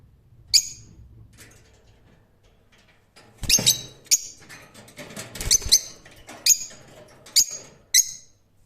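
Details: Rose-ringed parakeet screeches, shrill and rasping, scattered among rustling and clattering noises, with several calls in quick succession in the middle and a few single cries toward the end.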